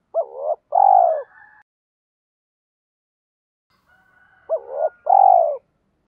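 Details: Caged decoy spotted dove cooing to lure wild doves, in the calling and urging styles: two phrases about four seconds apart, each a quick double note followed by a long, drawn, falling coo, with silence between.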